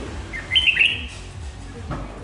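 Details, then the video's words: Red-whiskered bulbul of Hoà Bình origin, an untamed bird kept over two seasons, 3 March 2023: one short warbled phrase of rising then wavering whistled notes, lasting about half a second, over steady room hiss. "Chào Mào Mộc Hơn 2 Vụ Bộ Đẹp Gấu Chim Giọng Rất Hay Gốc Hoà Bình"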